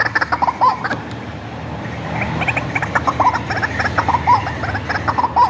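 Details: Hand-reared white-breasted waterhen, raised from a chick, used as a lure: rapid series of short croaking notes near one pitch, with a brighter clucking patch midway and a steady low hum beneath.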